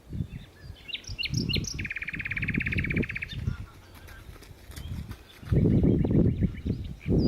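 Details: A common nightingale at Berkheide, the Netherlands, on 29 April 2018 sings a few sharp rising whistles, then a fast rattling trill, with loud low rumbling and wind-like noise throughout.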